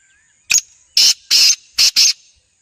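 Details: Black francolin (kala tetar) calling in Khairpur Mir's, Sindh: a harsh, grating phrase of five loud buzzy notes, a short first note followed by four longer ones in two pairs, over a quiet background with a faint steady high hiss.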